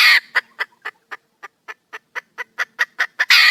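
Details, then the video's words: Female red junglefowl, a wild hen, calling for a male mate: short clipped clucks roughly three to four per second, opening and closing with loud, harsh, noisy squawk bursts. "le bruit d'une poule sauvage,เสียงไก่ป่าร้องหาถู่หาตัวผู้,ສຽງໄກ່ປ່າຮ້ອງຫາຄູ່ຮັກ, poj qaib qus see"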